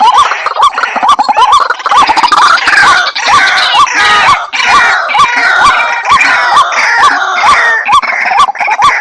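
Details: White-breasted waterhen calling in a crowded, noisy passage: hooked rising notes repeat quickly beneath continuous harsh, overlapping croaks and chatter throughout.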